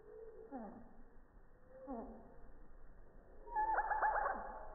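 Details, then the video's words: Slowed-down song of a hummingbird at a busy feeder, captured by iPhone 6+ three feet away on a calm morning: two lone descending slurred notes, then a loud rapid cluster of stacked chirps near the end. "Song of the Hummingbird"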